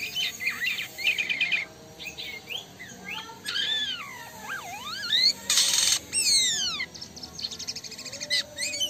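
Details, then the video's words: A Black-winged Starling in lively, full song gives a rambling mix of slurred rising and falling whistles, quick chattering trills and a harsh rasping burst, with no pauses longer than a moment. "Burung Jalak Kapas Gacor"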